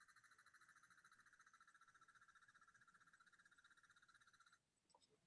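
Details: In Cuba, a great lizard cuckoo (Coccyzus merlini) calls: a long, steady, harsh rattling series of rapid nasal notes lasting about four and a half seconds before stopping abruptly.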